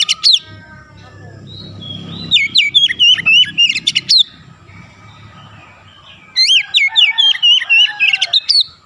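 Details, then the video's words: Oriental magpie-robin (kacer) singing in the ngerol and nembak style, two bursts of quick, wavering whistles near high pitch, each about two seconds, mixed with sharp piercing notes, with soft low rumble between. "KACER NGEROOL NEMBAK RAPAT DAN GACOR"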